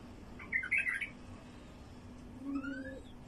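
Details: Wild bulbul singing, used to attract other wild bulbuls: a brief burst of chattering, warbled notes, then after a pause a fainter thin phrase that slides upward, over a steady low hum.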